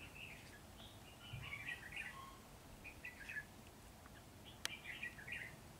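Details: Red-whiskered bulbul delivering soft, spaced warbled phrases of rippling whistles, one sharp click midway, over light background hiss.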